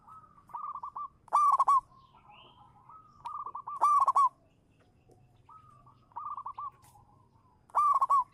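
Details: Local zebra dove used as a lure, giving regular phrases: a soft ascending run of short coos followed by a loud clipped, stuttering burst, the pattern returning about every three seconds, four times in all.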